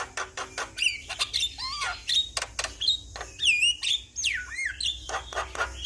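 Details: Javan myna song used to coax a stressed bird: varied whistles sweeping up and down, some looping and descending, interleaved with harsh raspy bursts and clicks.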